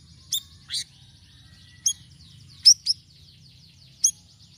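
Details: Sirisiri in varied song used to attract birds: scattered sharp, high chirps with irregular gaps, a couple in quick pairs, over quiet background hiss.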